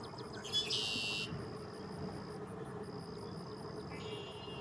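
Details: A red-winged blackbird by a lake gives one harsh, buzzy trill lasting about a second, over a steady high insect whine and faint lapping background hum.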